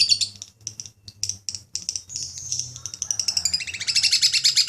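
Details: Lovebird in long ngekek chatter, a contest-winning style: irregular bursts of high rasping notes, then a fast, dense run of rapid chirps building toward the end, over a faint low hum.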